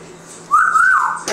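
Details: Congo African grey parrot, a Spanish-talking pet kept indoors, gives one clear whistled note that rises, holds steady, then slides slightly lower before ending, followed by a brief knock.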